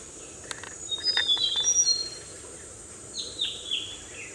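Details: Oriental dwarf kingfisher (Ceyx erithaca) in Western Ghat foothill forest near Quepem, Goa, before the breeding season in May, gives thin, shrill high notes, then a few quick downslurred squeaks, over a steady insect hum.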